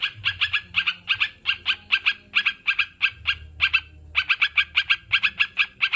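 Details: Sooty-headed bulbul played for kept birds that are slow to sing: dense, rapid chips in rhythmic groups, with one short break near the middle.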